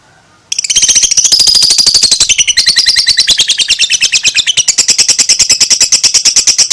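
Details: Long ngekek chattering song of a two-month-old lovebird: a rapid, unbroken stream of shrill high notes, about eight per second, running steadily for six seconds after a brief quiet start.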